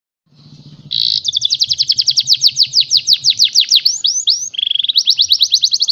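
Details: Canary singing: after a faint low murmur, a loud rapid trill of downward-sweeping notes begins, then a few rising slurred whistles, and finally a steady, very fast even trill at high pitch.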